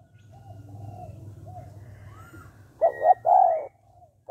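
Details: Spotted dove calling in the 'giọng hạp bổi' style, used to spur males to call quickly; a low murmur gives way to loud, hollow, mellow coos, two close together and a third beginning at the end.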